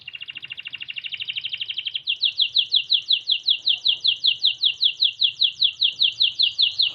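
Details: White Norwich canary singing: a fast, buzzy, high trill for about two seconds, then a steady series of sharp, slightly falling notes repeated about four times a second, with a faint low hum underneath.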